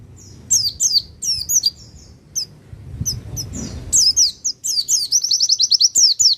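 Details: Pacitan Javan white-eye, used to stir other birds' emotions: bursts of high slurred chirps, a quieter middle with low rustle, then a fast twittering run ending in a quick repeated-note series.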